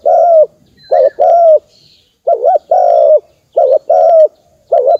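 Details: Spotted dove calling, recorded for use as a lure to stimulate decoy birds: hollow, mellow coos alternating quick wavering double notes with longer steady croos, repeated in close succession with faint high chirps behind.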